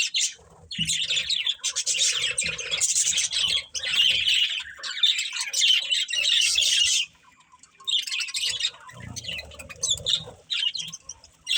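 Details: A breeding pair of budgerigars chattering in continuous high, grating chirps and squawks, dropping to softer, scattered calls near the end.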